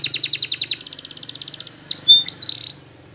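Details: Belgian canary singing, used as a training song: a rapid pulsed trill of about fourteen notes, then a slower buzzy roll, followed by a few sharp high whistles and a brief rolled ending.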